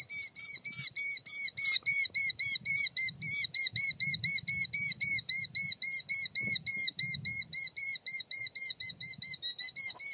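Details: A male Killdeer guards its nest while the female stays calm. Loud, shrill, clipped notes repeat quickly and steadily for ten seconds, about four per second, with faint low rustling beneath.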